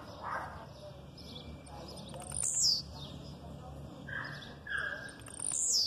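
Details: A male blue-black grassquit sings aggressively, giving sharp, high, falling buzzy notes about three seconds apart, with softer, lower female chirps between them; it is used to rouse males and teach young birds.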